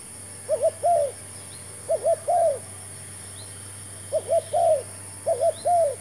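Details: Spotted dove, a new decoy bird used for luring wild doves into a new trap: four spaced phrases, each two quick coos followed by a longer arched, purring coo, steady hum beneath.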